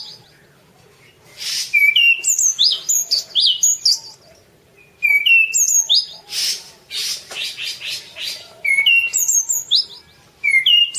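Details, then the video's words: Orange-banded thrush (anis cendana) masteran song: long strings of varied whistled notes and high sweeps in dense phrases, broken by brief pauses and a few raspy noisy bursts. "suara kicau burung anis cendana : masteran anis cendana"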